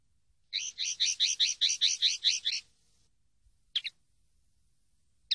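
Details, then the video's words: Common linnet song from a training CD: a run of about ten quick, regular twittering double notes forming a rhythmic trill, followed after a pause by a single paired chirp and another beginning. "CD CANTE DE PARDILLO 123"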